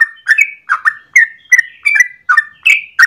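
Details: Yellow-vented bulbul singing in the morning, a long continuous 'gacor ropel panjang' song used as a lure or master for training birds: bubbly, warbled phrases repeated about every third of a second, clean and loud with no other sounds.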